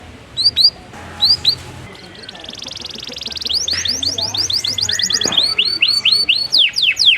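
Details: Canary song emerging after scattered chirps, building into rapid repeated high whistled notes and sweeping upward slurs, with faint low background hum.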